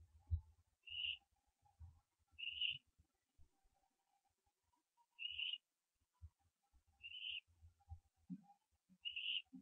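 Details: Young barn owl calling at its nest in the early hours of 15 September 2011, the night of branching: five brief raspy upward-sliding notes at irregular gaps of one to three seconds, with soft thumps and a faint background hum.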